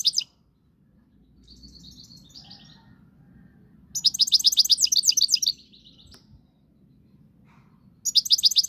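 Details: Moroccan goldfinch song in bursts: a short twitter, soft high notes, then a fast series of repeated buzzy, tinkling notes lasting over a second, and a final burst after a pause. A low hum sits underneath.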